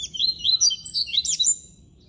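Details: Captive-bred Double-collared seedeater (coleiro) singing the classic song style: a fast, jumbled run of high, sweet twittering notes with slurred and buzzy phrases for about a second and a half, then quiet.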